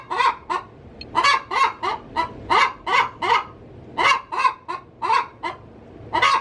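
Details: Domestic hen cackling before egg-laying inside the coop; harsh, nasal notes come fast, nearly one per second, in uneven clusters.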